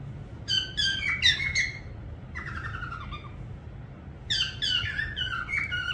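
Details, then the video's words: Whistling parrot producing short clusters of bright, harmonic chirps, with a softer warbled phrase in the middle and a louder burst near the end, over a low hum. "parrot sound whistling"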